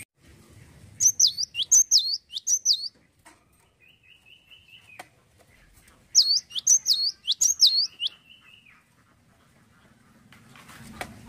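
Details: Cinereous tit singing actively in two bursts of about three shrill, swooping whistled phrases each, separated by quieter seconds in which a steady flat tone is heard; faint low noise at the end.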